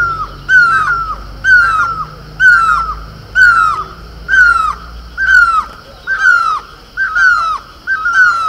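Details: Great barbet, local name mewli in Garhwal, calling from horse chestnut blossom in Uttarakhand: nine ringing, falling mew notes at a steady one-per-second rhythm, each with a short echoing tail.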